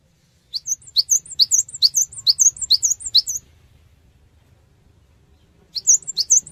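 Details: Cinereous tit song played to draw responses from other birds: a fast run of high, bright two-part chirps for about three seconds, a pause, then the phrase starting again.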